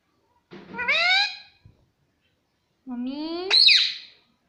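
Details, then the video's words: Talking Indian ringneck parakeet at home, giving two separate loud harmonic phrases, the first rising gently, the second climbing into a harsh high squawk. "Mitthu Mitthu Bolne Wala Batuni Tota - Talking Parrot"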